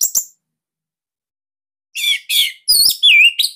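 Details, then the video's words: Bali-type Orange-headed thrush kept as a cage bird, its song used as a master to make other birds sing: a short sharp chip, silence, then loud slurred whistles and downward-sweeping notes. "Kicauan ANIS MERAH Ini Cocok Buat Masteran Burung Sahabat Dirumah"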